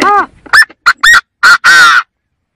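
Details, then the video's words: Chinese francolin voice used to lure birds for trapping: a rapid, raspy series of about six loud syllables, short ringing notes building to two longer harsh notes at the end, then silence. "Tiếng chim Gà Gô kêu"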